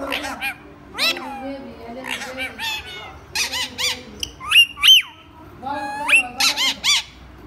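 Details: Rose-ringed parakeet imitating human speech: a steady series of raspy, word-like syllables in irregular bursts, with several sharp rising whistled notes in the middle and low background hum throughout.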